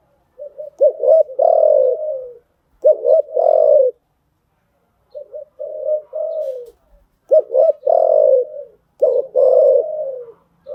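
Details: Spotted dove coo used to condition newly caught birds to call; repeated low two- and three-part coo phrases, with a longer warbled final note, separated by pauses.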